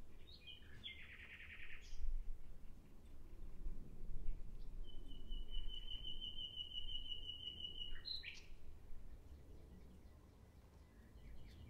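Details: Common nightingale song: a quick buzzy trill, then a long, even whistled note with a rattling edge, ending in a sharp flourish, all fairly faint against steady background noise.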